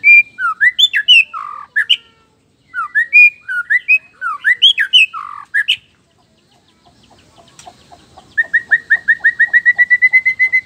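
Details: Male blacktail white-rumped shama from Nias singing to provoke rival males: varied loud whistled and slurred phrases in bursts, a pause, then a fast run of about fifteen evenly repeated bright notes.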